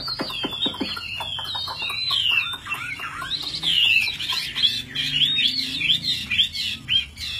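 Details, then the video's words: Tame caged Chinese hwamei fighting bird in full voice: a quick series of clicks at the start, then loud, jumpy whistled notes, swooping slurs and rapid downward flicks repeated in bursts. "Chim thuần 200%,Sách tay lắc lồng hót hét mọi địa hình,Chim đấu tốt"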